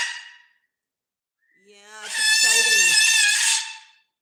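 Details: Pet Moluccan cockatoo screaming loudly indoors while another bird is also noisy: a long, harsh, rasping scream of about two seconds that swells and then cuts off, preceded by a short squawk.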